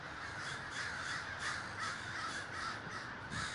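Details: Large communal gathering of crows in Davis, California, many birds cawing at once; rough, nasal caws pile up into a continuous, restless din with no clear gaps.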